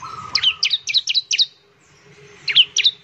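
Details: Bar-winged prinia in lively song, meant to stimulate other prinias to sing: five quick twin-note chirps about a quarter-second apart, a pause, then three more, with a brief lower warbling note at the start.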